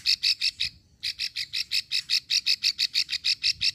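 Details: Female plain prinia giving a long klik call used to lure males, from Ulujami, Central Java: a rapid train of sharp clicking notes, about three per second, with a brief pause after the first few, steady to the end.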